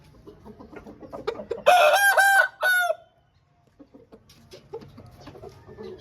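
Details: Home-bred Aseel rooster delivering one strong crow in several pulsed segments, loud and harmonic, followed by near silence and faint clucks.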